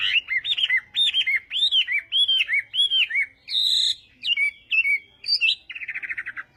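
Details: Chinese hwamei singing in a contest during morning voice training: clear whistled phrases of arched rising-falling notes repeated in quick series, then a buzzy trilled passage and a rapid rattling ending.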